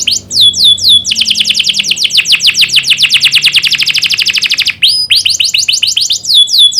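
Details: Canary singing as a model for young birds to learn from: a few high downswept whistles, then a long, steady, fast-pulsed trill, a short gap, and more quick sweeping notes.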